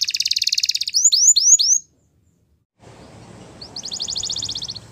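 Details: Waterslager canary training song: a quick high trill and four sweeping whistled notes, then a pause and a softer distant-sounding trill over faint background hiss.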